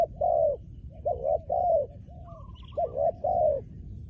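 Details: Trained decoy spotted dove cooing, used for decoy trapping: low hollow coos in short paired and triple phrases, some rising then falling, with pauses between groups; a faint higher whistling bird in the background.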